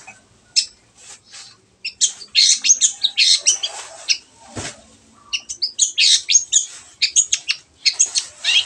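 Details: Long-tailed shrike singing vigorously, used to prompt silent birds to sing: quick chattering and rasping notes in dense runs, a short break with a dull thump, then more rapid twittering.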